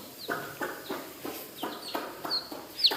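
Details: Village baby chicks, coloured, with high descending peeps over a run of regular soft knocking sounds, about three per second.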